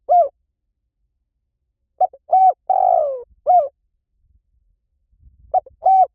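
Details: Spotted dove calls used as a lure to bring in wild doves: short, husky paired coos, each arched in pitch, with one longer purring coo that slides downward, separated by silent gaps and a faint low rumble near the end.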